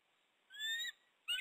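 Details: Female bald eagle in her nest at dawn, calling up to her mate perched just above before he joins her on the rock to bond; two thin, high whistled notes, the second brief and sharp, over a quiet background.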